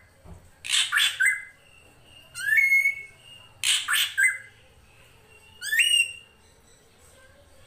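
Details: Drongo (srigunting krantil) in a master recording for training songbirds, with flowing water behind: harsh, noisy squawk bursts alternate with clear whistled notes that rise and then hold, in four phrases over eight seconds.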